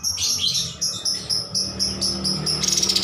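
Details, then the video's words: Cream-striped bulbul in full song, recorded as a master for training birds: quick series of sharp high whistled chips repeated several times a second, ending in a fast stuttering run. "MASTERAN KAPAS TEMBAK GACOR"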